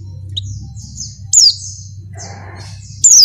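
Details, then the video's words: A female Oriental white-eye in breeding condition calls to a male. Faint thin high chirps lead into two loud, piercing downslurred notes near the end, over a constant low background hum. "suara pleci betina birahi manggil jantan"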